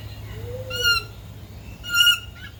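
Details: Male Raggiana bird-of-paradise giving a courtship display to an interested female: two loud, nasal, strongly harmonic calls about a second apart, preceded by a soft low rising-falling note, with low background hum.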